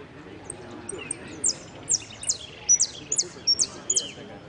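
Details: Saffron finch singing at a contest in Piran on 25/09/16, entered in the yellow 'sin cierre' song category. Short, sharp, high chirped notes repeat in a loose series, about eight phrases, over murmured voices and room noise.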